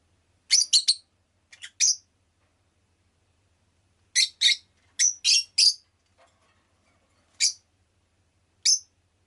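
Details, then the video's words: A pet rosy-faced lovebird gives shrill, harsh chirps in quick clusters of two or three, about a dozen in all, separated by short silences in an otherwise quiet room. "Lovebird Chirping Sounds"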